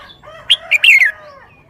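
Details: Thai caged red-whiskered bulbul gives a loud, quick phrase of three clear whistled notes ending in a descending slur, with a soft steady whistle running underneath.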